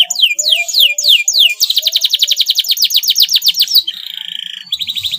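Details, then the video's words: A male yellow canary sings energetically in breeding condition. Several separate downward-swooping whistles give way to a fast pulsing trill, then a flat buzzy tone and another rapid trill. "KENARI JANTAN KUNING GACOR SEDIKIT BIRAHI"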